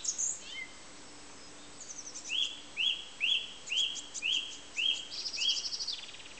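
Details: Song thrush singing: a clear whistled phrase repeated about seven times in quick succession, each a short bright note with a slight downward slur, preceded by a few higher thin notes; steady faint background hiss.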